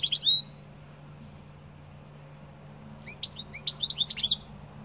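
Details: Singing European goldfinch: a short sharp twittering note opens, then after a pause a rapid tinkling, buzzy run of high chirps lasting over a second, over a low constant hum.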